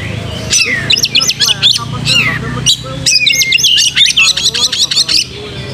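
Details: White-rumped shama singing while spreading its tail, delivering quick runs of high chattering notes and a few whistled phrases, with brief gaps and a low background hum.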